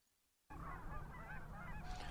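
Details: Canada geese, a large group on a wildlife refuge pond during spring migration, honk over one another in a busy overlapping chorus of nasal calls, with low rumbling background noise.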